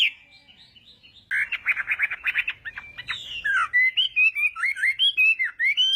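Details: Morning song of a Chinese hwamei for voice training: soft whistles give way to a rapid stuttering run of notes, then a series of clear slurred whistles rising and falling in quick succession.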